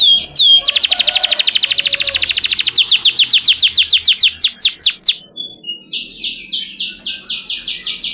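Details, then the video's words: Canary training song to coax canaries into singing: an intense fast trill that slows into repeated swooping notes, then softer chirped phrases repeated several times a second. "Pancingan Bunyi Burung Kenari Supaya Cepat Gacor"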